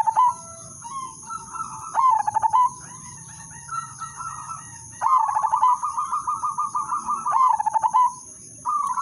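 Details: Zebra dove of the Udanmas Silver type singing a melodious lure song meant to set other doves singing. Low cooing phrases open with a quick stutter of pulses and then roll into a wavering coo, with gaps between phrases. A steady high electronic whine runs throughout.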